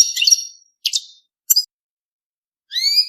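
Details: Short European goldfinch notes during mating: a twittering burst, a brief buzzy note, a tiny click and a rising clear whistled phrase, with gaps of silence.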